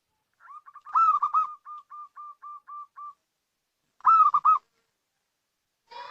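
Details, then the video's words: Local zebra dove (perkutut lokal) call used as a lure: a rolling burst, then a string of short, evenly spaced mid-pitched coos about four a second, with a second burst after a pause. "Suara Panggilan PERKUTUT LOKAL"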